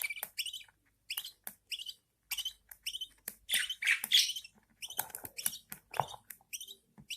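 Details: Budgerigar nestlings fed by their mother, a steady stream of scratchy, high chirps at about three or four per second, growing denser and harsher in the middle before easing again.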